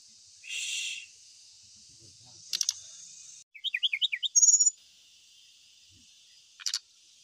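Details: Lure recording of an ashy tailorbird: scattered sharp clicks, then a fast run of bouncing chirped notes ending in a thin high trill, over a continuous hissing noise bed.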